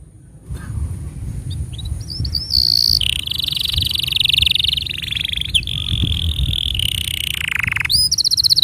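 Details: Canary song used as a tutor for young canaries and to prompt birds that stopped singing: sweet rising notes, then a long steady buzzy trill stepping lower, ending in sharp upslurred chips over faint low background hum.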